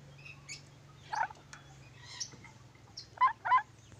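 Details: Ornate lorikeet from Sulawesi giving short, harsh, raspy squawks: one near the start, then a quick pair close together near the end, with faint softer chirps in between over a low steady background hum.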